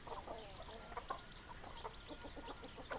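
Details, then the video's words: Hens clucking in a busy flock, with short, rapid, overlapping clucks and a few brief squawks over a constant hiss of background noise. "Chicken Sounds Noises Hens Clucking Roosters Crowing"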